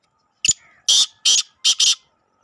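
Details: Black francolin (kala teetar) calling: a sharp clipped note, then three harsh, grating notes, the last split into a quick double, all within about a second and a half against a silent background.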